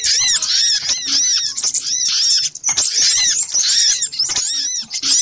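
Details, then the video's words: Little spiderhunter noisy lure sound: a busy torrent of thin, curving squeaks and chips, overlapping heavily, with one short lull midway. "Suara pikat burung sogok ontong ribut kompilasi"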